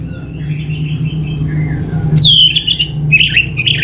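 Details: Orange-headed thrush lure song. Soft warbling gives way to a loud, falling whistle and then scratchy, varied notes, over a low hum.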